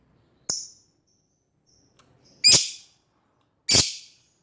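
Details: Lovebird calling toward an opponent, giving one thin sharp chip and then two loud, harsh screeches about a second apart, with quiet between.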